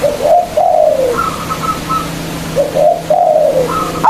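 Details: Loud local zebra dove, used as a lure to stir rival doves into singing, giving mellow falling coos with rougher overtones in two similar phrases about two seconds apart. A steady low hum runs underneath.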